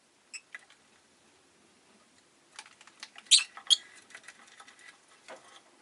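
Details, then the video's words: Rosy-faced lovebird with a steady run of soft, ticking chatter, broken by two sharp, piercing chirps close together midway. "Lovebird Chirping Sounds"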